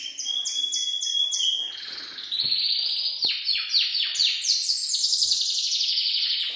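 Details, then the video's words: Gloster canary giving its full song: a dense, continuous run of bright high trills and rolling, chattering phrases, with rapid repeated notes and sweeping descending slurs, loud throughout with no pauses and no other clear sounds. "Kanarek-Gloster (Kazik) Pełny śpiew"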